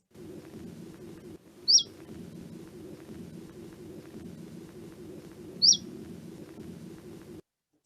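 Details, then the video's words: Common Chiffchaff giving its typical 'swee' (suiu) contact call, apparently from young birds: two short, high rising-then-falling notes about four seconds apart over a steady low hum. "I aquest és un mosquiter fent el reclam aquest típic de suiu."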